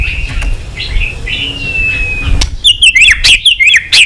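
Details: Singing white-rumped shama, recorded to provoke other shamas into song: a faint, thin level whistle gives way to a loud run of quick, bright, repeated chirping notes.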